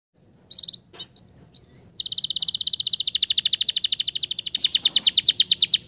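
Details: Male canary singing as a lure to restart stressed canaries that have stopped singing: a few scattered high chirps after silence, then a rapid, steady trill of repeated notes from two seconds on, growing louder toward the end.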